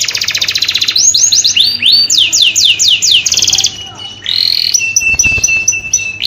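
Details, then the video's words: Mating song of a canary meant to stimulate breeding: quick trill leading into repeated rising arched whistles, a buzzy roll, then a string of short high chips. "FISHING MATING CANARY"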